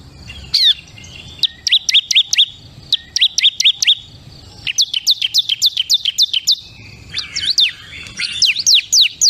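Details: Several short bursts of quick, high chipping notes from a bar-winged prinia, the ciblek kristal, some doubled, with brief pauses between phrases.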